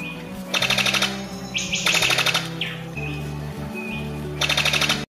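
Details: A scythebill (bico-de-foice), presented as a bird with a strange song, gives three bursts of fast, dry, buzzy rattling, each under a second, with a few slurred notes between, over low background music.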